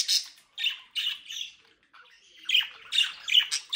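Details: Mischievous captive-bred budgerigars in South Holland, Netherlands: rapid grating squawks and chirps in short bursts about twice a second, a quieter gap midway, then a denser run of harsh warbled notes.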